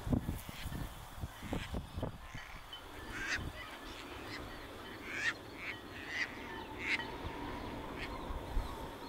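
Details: North American Caspian Terns at rest on a northern USA beach during spring migration as one brings a fish to a potential mate; repeated harsh, grating calls scattered through, with early knocking noises and low steady background rumble.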